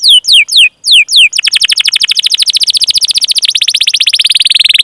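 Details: High, bright canary notes used as a singing prompt for juvenile or stalled canaries: a few drawn-out slurred whistles, then a very fast, continuous rolling trill.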